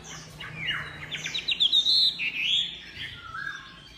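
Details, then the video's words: Chinese hwamei singing a fast burst of clipped notes leading into a loud, sustained sweeping whistle, then a softer trailing phrase. "SUPER GACOR MANTAP SUARA KICAUANYA//Burung Hwamei"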